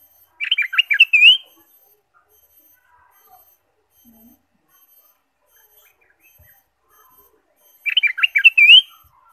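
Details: Ruby-throated bulbul song used as a lure to stimulate caged birds: two short, bright, warbled phrases of quick rising-and-falling notes, spaced several seconds apart with near silence between.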